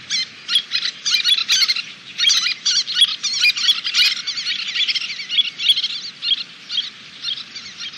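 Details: Little terns at a nesting colony in Kobe, Japan, 26 June 2016, where about a dozen birds returned and fledged chicks, now nearly adult-sized, were flying; high, harsh, rasping chatter from many overlapping birds over a faint low rumble.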